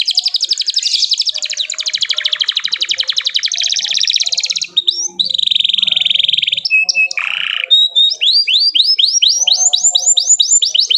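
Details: Canary in full song, used to provoke other canaries into singing: a fast buzzy trill of rapid repeated notes, then a steady whistled tone, a lower rolling burst, and a series of sweeping upward chirps repeated quickly.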